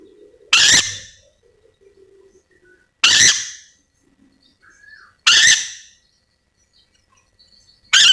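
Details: Calling Yellow-and-green lorikeet from Sulawesi: loud grating screeches repeated about every two and a half seconds, with a brief soft whistled note and faint low hum in the gaps.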